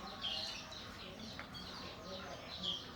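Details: Caged canaries and black-throated canaries in a morning aviary, being checked for health and breeding; bright chirps and short warbled notes from several birds overlap against steady low background noise.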